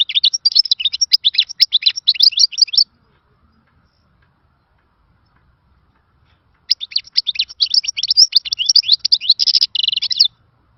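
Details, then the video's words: Khalawi-style song of a European goldfinch, called a lost melody from the old days: two long bursts of fast, tinkling, twittering phrases with buzzy trills, separated by about four seconds of silence. "تغريد خلوي مفقود من الزمن الجميل يخدم بالميزونج jilguero bird"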